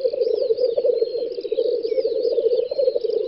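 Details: Lekking black grouse on a spring field, western Russia (Volga federal district), May 2019, pour out an unbroken low, throbbing bubbling murmur, while other birds add high, looping whistles over it.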